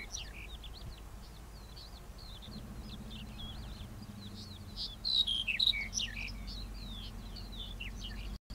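A black-headed bunting gives a bright, scratchy warbled phrase midway, over a steady background of other birds' thin chirps and a low hum.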